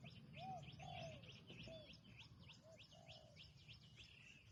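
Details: Spotted dove, a new bird on its first training outing, repeats soft low coos in two short groups, with steady high chirping and twittering from other birds all around.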